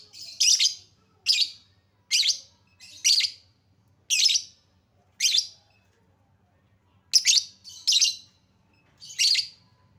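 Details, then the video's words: Lovebird calls played as a lure to get hard-to-start lovebirds singing: a steady series of loud, rasping high chirps about once a second, some doubled, with brief pauses. "Lovebird Susah bunyi Pancing Dengan Suara pancingan Lovebird ini, Pasti bakal langsung Respon Cepat"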